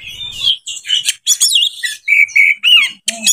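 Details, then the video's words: Oriental magpie-robin in breeding condition, song meant to provoke other birds: short varied bursts of buzzy chatter, wavering whistles and clear level notes repeated in quick succession, separated by brief pauses. "PANCINGAN KACER 2023/2024 HOT 🔴 KACER CEPAT JEBOL BIRAHI DONGKRAK EMOSI BONGKAR ISIAN MEWAH EKSOTIS"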